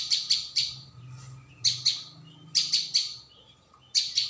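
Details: Prinia, called ciang or prenjak bawah locally, in a lure recording: short clusters of two or three sharp, high chirps spaced about a second apart, over a soft low background hum.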